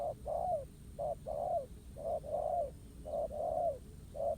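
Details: Wild spotted dove cooing against a ground decoy during a trapping match: close, rich coo pairs, a brief note then a longer arched one, repeated briskly about once a second.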